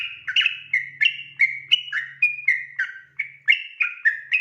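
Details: Night-time 'ropel' song of a yellow-vented bulbul, meant for training other birds: quick, unbroken chain of bright whistled notes, each dropping slightly, rising and falling in a jerky see-saw pattern throughout.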